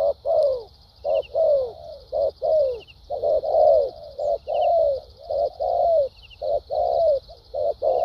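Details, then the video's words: Spotted dove, a caged decoy with a formally structured voice, pours out close-set coos in thúc gù and lèo dặm style, short clipped notes mixed with longer descending ones, nearly continuous, over a high insect buzz. "Đồng tốt tiếng bài bản.clip 870.nết chơi thúc gù,lèo dặm quá hay"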